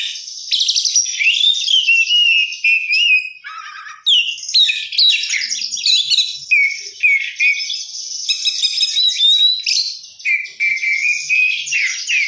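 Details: Long, unbroken oriental magpie-robin song in the 'gacor isian mewah' style, a lively bird with rich fill-in phrases: mixed trills, sweet whistles and scratchy chatter changing every second, with one short dip in volume.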